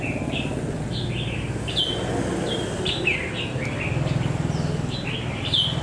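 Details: Red-whiskered bulbul, a newly caged wild bird of ten days with a bold manner; repeated short whistled notes and slurred phrases, some rising, some falling, delivered irregularly over constant low hum.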